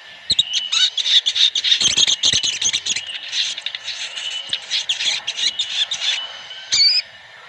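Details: Many sooty-headed bulbuls calling together (ombyokan), used as a lure to make caged birds sing quickly. Dense bubbling, chattering notes crowd the first six seconds. A hooked whistle follows, all over a steady high whine.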